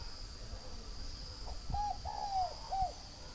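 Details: A single softer three-syllable coo comes from a northern Vietnamese spotted dove at a breeding farm near Hanoi. A short note leads into a long falling coo and a brief closing note. Low thumps and a steady high hum sit underneath.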